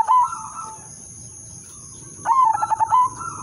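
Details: Zebra dove lure song with a melodious rhythm: a brief coo at the start, a quiet gap, then a loud rolling burst of stuttered coo notes with trailing softer cooing, over a constant high hum.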